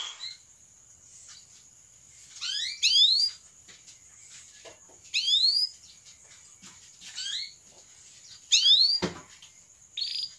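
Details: Canary song used to stimulate other canaries to sing: quiet bursts of quick rising chirps repeated roughly every two seconds over a faint steady high tone.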